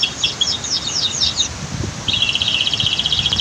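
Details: Training song of a canary with a waterfall in the background: a short burst of high scratchy notes in quick groups, a brief pause, then a rapid rattling trill of tightly repeated notes, with faint water rumble underneath.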